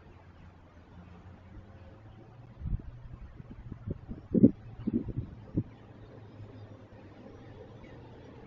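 Low hum of distant traffic with a few dull thumps and knocks midway, and no animal calls.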